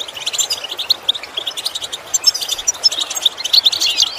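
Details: Twittering European goldfinch song meant to teach other goldfinches: quick high chirps and bright whistled notes, run together in a lively, unbroken jumble.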